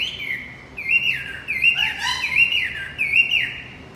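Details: Male Javan white-eye song used as a lure to restart a male that has stopped singing: bright, high chirped phrases with short slurred notes, repeated in uneven bursts about every second.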